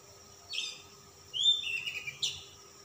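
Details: Oriental magpie-robin, calm type, singing persistently with rich fill: a short high squeaky note, a pause, then a longer falling whistled run and a final sharp high note, against a steady background tone.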